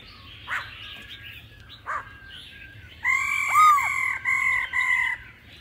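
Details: Laughingthrush singing in a mature wild-style voice with female calls mixed in: soft scattered notes, then loud sustained level whistles broken by brief pauses, with a short arching slur over the second note.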